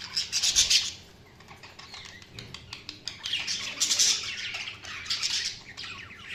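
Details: Chirping budgerigars giving dense, rapid scratchy chatter in repeated loud bursts, several birds overlapping in a lively continuous chorus, with a possible wing flutter.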